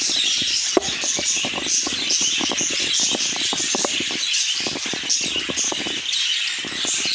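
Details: Lively budgerigar chatter full of rapid chirps and squeaky warbling, over dense tapping and fluttering, with a sharp click early on.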